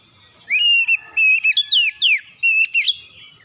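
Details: Morning lure song of an oriental magpie-robin (kacer), meant to get quiet birds singing vigorously: clear level whistles alternating with quick descending slurred notes and sharp chips, delivered in a steady, energetic run of phrases.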